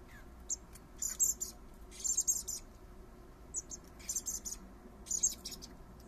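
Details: Common blackbird fledglings, three youngsters fed by their father in a garden, give repeated bursts of shrill, very high begging squeaks roughly every second, rising in intensity toward the middle, over a soft low hum.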